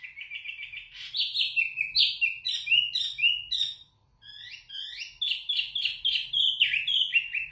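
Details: Zebra finch singing loudly and clearly, as a tutor song for training other birds: a fast run of nasal, buzzy, toy-trumpet notes, about four a second, with a brief pause midway.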